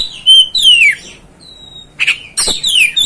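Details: Oriental magpie-robin luring song, meant to stir up another magpie-robin: clear whistled notes sliding downward, a long thin steady whistle, then harsh scratchy bursts and more falling whistles.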